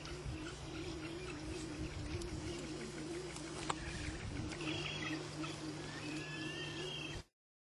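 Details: Male Magnificent Frigatebird displaying in a colony on Seymour, Galapagos Islands, Ecuador, recorded 21 August 2005; a low, steady wavering tremolo drone runs throughout, with faint higher whistled notes near the end over a background rumble.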